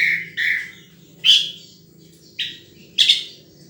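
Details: Wild sunbird uttering five separate high, sharp chirps at uneven intervals, the notes short and slightly buzzy, with quiet gaps between them and a faint low background hum.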